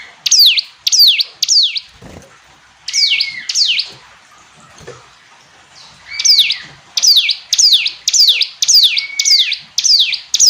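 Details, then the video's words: Hill prinia repeating bright, steeply falling high notes in short bursts, with gaps between the phrases. Faint low knocks and scrapes are audible in the background. "Ciblek gunung istimewa, hitungan detik dijamin langsung bunyi ‼️ jernih"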